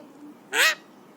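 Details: Happy, excited three-year-old pet Alexandrine parakeet that mimics coughs, whistles and screams, giving one short, rasping, broadband squawk against a quiet background.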